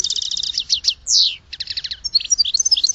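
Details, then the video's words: Fast goldfinch twittering, with rapid rattled trills and a descending slurred whistle mid-phrase, then more bright chirps and thin high notes. "Goldfinch Song to Educate Newcomers to Their Call"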